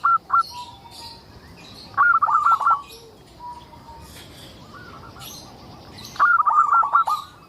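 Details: Local zebra dove singing to entice other zebra doves to answer; three bursts of fast, rattling, trilled coos that tumble downward, with softer drawn-out notes between them.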